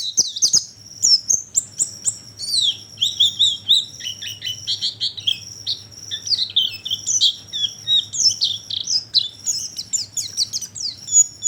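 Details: Oriental white-eye lure for attracting birds: a lively, continuous warble of high chirps, trills and descending slurs, with no pause across the recording.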